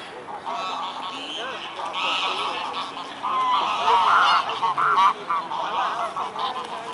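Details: Mute swans at Dresden's Blaues Wunder bridge in Germany, afternoon of 14 October 2017: many overlapping nasal, trumpeting calls that swell and grow louder midway, forming a busy chorus over steady background noise.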